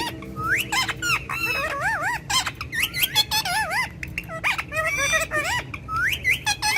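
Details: Ringneck parrot in a courtyard talking in Urdu/Hindi with its keeper: a dense run of warbling, wavering, speech-like phrases with bending tones, broken by short squeaky notes and a steady low background hum.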